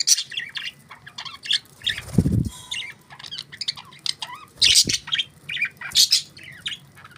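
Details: Budgies in a lively chattering chorus of chirps, squawks and warbled notes, broken by a low thump or flutter in the middle and a few loud sharp calls later.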